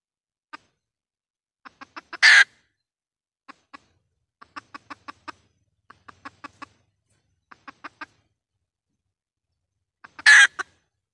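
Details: Hen red junglefowl call made for luring wild junglefowl into traps: loud scratchy squawks near the start and end, separated by scattered groups of quiet, dry clucks.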